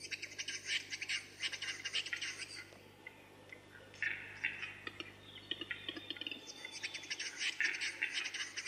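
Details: Western capercaillie (Tetrao urogallus) male in courtship display at a lek: dry clicks running into bursts of high, hissing, scraping whetting notes, repeated in three spells, over a low steady hum.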